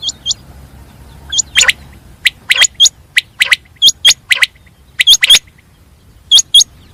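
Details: Common quail giving crisp, high hooked whistles, mostly doubled, repeated through the stretch and mixed with sharp clicking notes, against a calm, low background.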